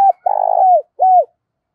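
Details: A decoy Spotted dove calls its flock in the morning. A short level coo is followed by a long, rolling, slightly descending coo and a final arched note that falls away.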